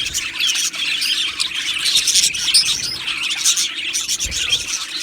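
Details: Aviary colony of Australian budgies singing and chirping, a busy overlapping mass of sharp high chirps and squawky notes with no pause.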